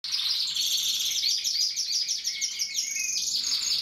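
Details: Very small male Gloster canary singing a continuous high, bright warble of rapid trills and chirps with some rising whistled notes, faint background noise; finding: Belgian canary.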